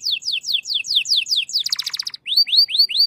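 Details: Shant song of a canary: a row of clear downward-sweeping whistles, a dense rattling burst, then four arched whistled notes repeated evenly, about four per second.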